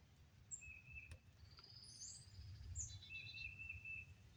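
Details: Birds calling outside in Oklahoma on May 22 after storms: several thin high whistles, some rising and some level and drawn out, scattered across a few seconds over a noisy low background.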